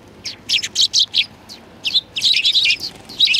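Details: Sparrows gathering for food at a Tenmangu shrine in February 2020 give a steady stream of sharp, high chirps, separate notes at first, then crowding into a busy overlapping chatter.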